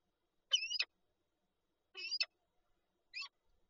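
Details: Peregrine falcon at its egg-holding nest in Lublin, Poland, 19 March 2022: three clipped, scratchy calls, two of them doubled, spaced about a second and a half apart against a quiet background.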